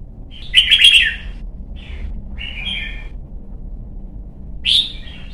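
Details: Young red-whiskered bulbul, kept as a cage bird in Vietnam, being trained to sing for singing competitions: bright warbled phrases around 2–4k, a loud burst near the start, shorter phrases mid-clip and a final sharp note, over low background hum.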